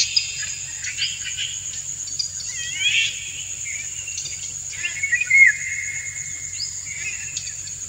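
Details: Indian golden oriole, male, courting a female with song while she dances; scattered short chirps, a husky rising phrase, then a clear flat whistle, all set against a continuous high-pitched insect hum.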